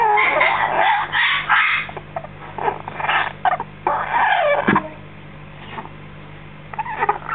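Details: Recently fed baby African grey parrot, aged six weeks, chatters in irregular bursts of harsh, raspy and bending notes, several per second, with brief quiet gaps and a constant low hum behind.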